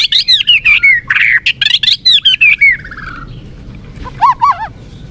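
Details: Energetic lure song of the white-rumped shama, meant to turn a lethargic murai batu into a fighter: a fast chattering sequence of descending whistled notes, then after a pause a few lower looping warbles.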